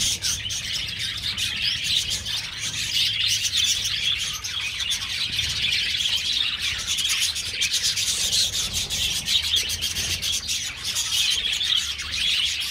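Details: Aviary budgerigars calling as a colony, producing an unbroken mass of high twittering and scratchy chirps over nearly thirteen seconds, backed by faint low rumble.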